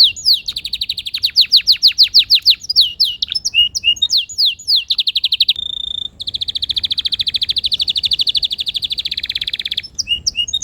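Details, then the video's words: Canary song opening with fast repeated downward-sweeping notes, a brief pause, a sustained high tone, then a long rolling buzzy trill and a few closing chirps. "Relaxing melodious bird sounds"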